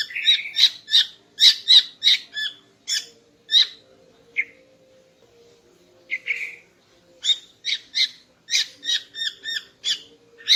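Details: Morning song of a female greater green leafbird, meant to arouse the male: rapid bursts of sharp, ringing chips, a brief pause broken by short whistles, then another fast chattering run; faint low hum beneath.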